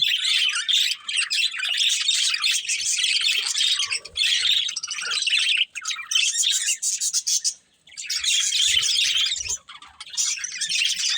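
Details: Colourful budgies of a breeding pair singing and chirping, long bouts of rapid high warbling chatter with squawky notes, broken by a few brief pauses.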